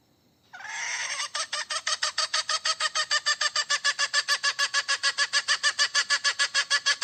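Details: {'caption': 'Hen calling for a mate: a rough opening note runs into a long, very regular volley of raspy clucks, about three a second.'}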